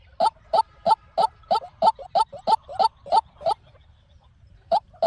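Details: A white-breasted waterhen calls for use as a trapping lure. About eleven quick, knocking notes come at a steady three-per-second rhythm, with soft notes in between. Then comes a pause of about a second before one more note.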